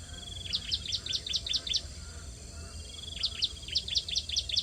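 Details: Hungry bar-winged prinia chicks begging at their nest during feeding. Two clear bursts of about seven rapid, high, downslurred chirps, roughly two and a half per second, separated by a short gap.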